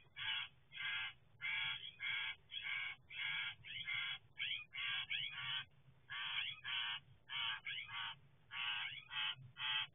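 A pair of Western Screech-Owls trade harsh, raspy screeches, short bursts coming about once every second in an uneven run, over a low, steady background hum.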